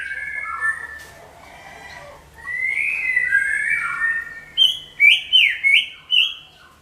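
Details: Greater green leafbird with a loud, booming song meant to lure all kinds of birds; drawn-out whistled notes followed by five quick, repeated rising and falling whistled phrases.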